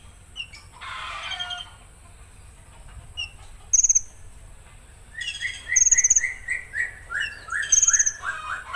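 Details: Konin pouring out rough-shot song: scratchy notes and short chips, then loud high trills interleaved with a string of rising whistled slurs, repeated rapidly.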